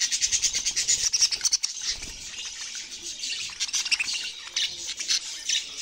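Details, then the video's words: Budgerigar calls: busy overlapping high squeaks and twittering, louder bursts in the first two seconds, then steady chattering. "Parrot sounds"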